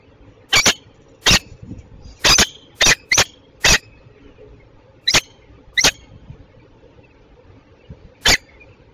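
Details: A peregrine falcon, described as a Belgian female, at Westpoint, Tilburg, at 08:08 on 27 June 2024, gives nine short, harsh, rasping notes spaced unevenly about a second apart over a low steady hum.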